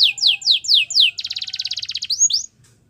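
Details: Belgian canary getting ready for females with five slurred falling whistles, then a quick dense buzzy trill and two rising notes before stopping.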